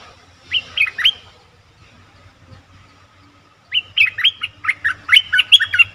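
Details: Lure recording of a bulbul for attracting wild birds: a short burst of three or four liquid, whistled notes, a pause of nearly three seconds, then a longer, livelier chattering series of whistles over faint background hum.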